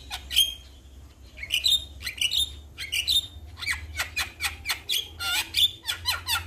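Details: Male Javan myna calling out to other mynas, which respond: sharp clicking notes and short high whistles, then an accelerating series of dry rasping squawks and clicks in quick bursts, over a faint low hum.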